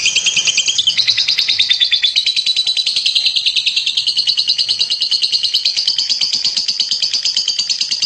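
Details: Champion lovebird delivering a dense, rapid trill of shrill chirps, rolling almost continuously, with a slight pitch drop near the start then holding steady.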